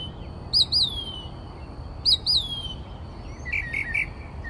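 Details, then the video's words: Northern mockingbird, Texas state bird, singing at 4 am outside a bedroom window; paired sharp high down-slurred notes repeated twice, then a quick run of lower chirps. "Mockingbird Singing Outside My Bedroom Window...at 4am!"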